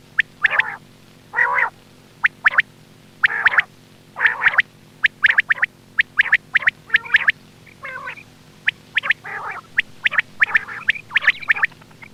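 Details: Quail call recording meant to lure birds for hunting, with harsh clipped notes in rapid bursts about once a second, alternating with thinner high chirps and rougher fluttering calls toward the end.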